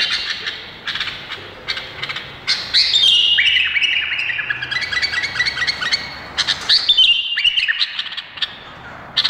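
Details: Indonesian bulbul singing: loud, bright whistled phrases that slide and drop, separated by short sharp chirps repeated about four times a second, with a faint low hum underneath.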